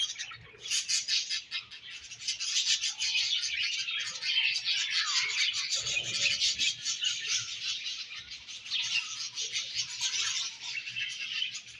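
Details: Several budgies chattering while eating their favorite food: a dense, continuous wash of high scratchy chirps and warbles, with fast clicking notes and brief squeaks running through the whole stretch.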